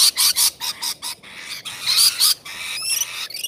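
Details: Rainbow lorikeets at feeding time: harsh, broadband screeching bursts in rapid succession, some shrill whistled notes layered on top, several birds calling over one another.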